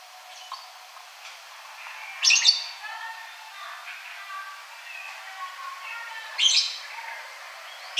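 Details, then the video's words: Ashy drongo giving two loud, harsh, buzzy bursts about four seconds apart, with soft scattered whistled notes between them. "Srigunting Abu Abu Agar Rajin Bunyi"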